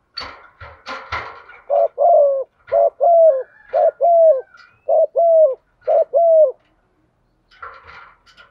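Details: A female spotted dove, whose call is used to make males coo along, gives a steady run of paired low coos, each pair rising then sliding down. Clattering, knocking noises come at the start and the end.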